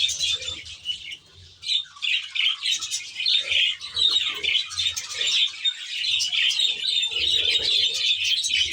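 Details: Captive budgerigars (Australian budgies) kept in an aviary reserve, a large flock giving dense, continuous high chirping and warbling chatter with many overlapping voices and short squawks throughout.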